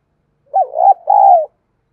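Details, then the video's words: Spotted dove used as a lure against wild rival doves, with 'thổ' style cooing: a loud hooked opening note running into a wavering phrase, a short break, then a long, steady, mellow coo. "Chim Cu Mồi Tiếng Kích Hiệu Quả- cu gù đấu với bổi"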